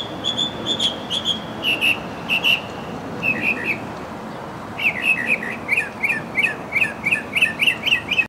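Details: Mockingbird singing: high whistled notes repeated in slow pairs, then a long fast series of crisp, rhythmic chirps about three per second, clear against a quiet background.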